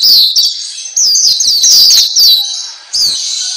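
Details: Black-capped white-eye, also called Pleci Papua, in a masteran training recording meant to make caged birds sing more; loud, high twittering phrases of rapid down-slurred notes in three bursts with short breaks.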